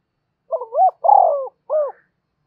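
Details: Single spotted dove phrase for training decoy birds used in trapping: a stuttering double coo, a long buzzy coo sliding down, then a clear arched closing coo against silence.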